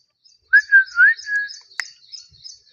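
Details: Pet parrot gives a short run of clear whistled notes, sliding up and down over about a second, then softer trailing chirps and a single sharp click in an otherwise quiet room.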